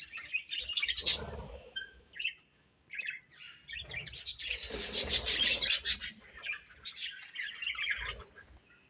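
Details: Budgie colony chirping in bursts: sharp squeaks and warbled chatter, a brief lull near three seconds, then a louder sustained chorus with low bumps.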